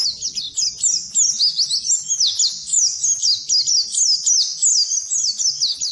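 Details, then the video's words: Oriental white-eye song used as training recording for birds that have stopped singing; rapid high twittering of short sweeping notes, continuous and bright with no pauses. "Suara Burung Pleci Masteran Pleci Full"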